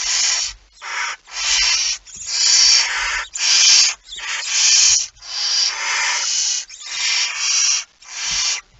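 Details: Barn owl with a mouse, 17 September 2019, 01:49: an almost unbroken run of about ten loud, breathy screeching hisses that crowd together with barely any gaps, along with occasional dull bumps.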